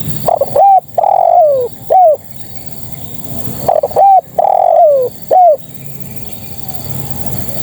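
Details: Spotted dove female calling males, giving her cooing phrase twice: quick opening notes, a drawn-out husky coo falling in pitch, then a short rounded coo, loud and close over quiet hiss.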